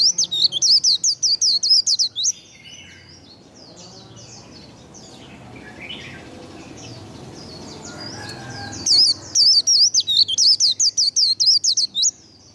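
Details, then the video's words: White-eye singing "líu" to stimulate singing: two runs of fast, high, wavering whistles with a long gap of softer mixed chirps and background noise between them. "Vành khuyên líu đấu. Kích lửa vành khuyên líu đấu"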